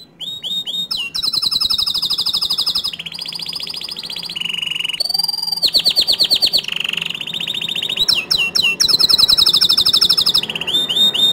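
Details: Atlantic canary singing loudly to provoke other canaries into song: fast high trills and rattling rolls switch every second or two between pitches, with clear whistled tours and buzzy rapid-fire note runs, steady and continuous throughout.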